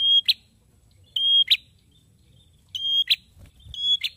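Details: Loud, persistent singing from a male prinia. Each phrase is a sustained high whistle closed by a sharp buzzy note, repeated four times at slightly uneven intervals, with a soft thump near the end.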